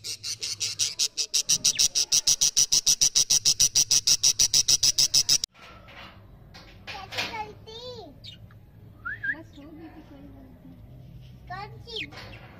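A budgerigar chick gives rapid, evenly spaced raspy peeps, followed by people talking nearby.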